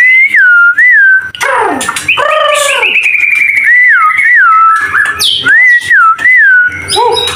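White-rumped Shama singing loud, clear whistled phrases that rise and fall, about one every second, mixed with harsh buzzy and rattling notes.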